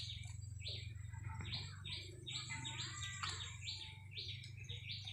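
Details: Caged decoy red-whiskered bulbul, recorded 30 April 2025, giving bright chirping notes around the upper-middle range, repeated in a quick uneven series for five seconds over a steady low hum.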